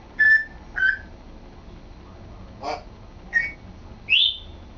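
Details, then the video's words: Pet male African grey parrot practising talking: a series of short whistled notes, a breathy speech-like sound in the middle, then a rising whistle ending higher, spaced irregularly about a second apart indoors. "African Grey Sambuka trying to talk and succeeding!"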